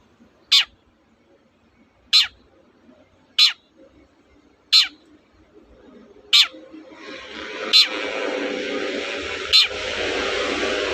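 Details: Long-tailed shrike used as a lure to get reluctant birds to sing: sharp, rasping single notes repeated about every one and a half seconds, seven in all, with a rising hiss of background noise in the second half.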